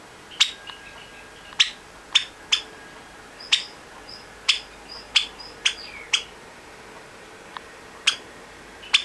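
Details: A Java sparrow chick, which the owner hopes is female, calls for companions in the next room in August 2009. It gives sharp, high clicking chips about once a second, with a few faint softer peeps, in an otherwise quiet room.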